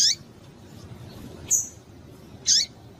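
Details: Female double-collared seedeater piping to stir males into song: three brief, high, sharp chirps spaced roughly a second apart, each a quick squeaky note, with soft hiss between them.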